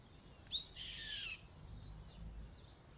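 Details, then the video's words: Yellow-headed caracara giving a single loud, hoarse, rasping scream, roughly a second long and sliding slightly downward, followed by faint thin chirps of small birds over a low background hum. "GRITO DO GAVIÃO CARRAPATEIRO"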